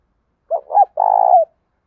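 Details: Cooing of a spotted dove, used to urge captive doves to call: a brief two-note lead-in, then a sustained vibrating coo that drops at its end, mellow and low-pitched, with no other sounds.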